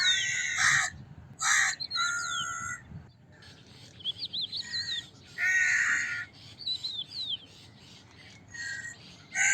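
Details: Crow cawing: harsh, broad, grating caws in short bursts spaced irregularly through the clip, with thin whistled chirps of a smaller bird between them.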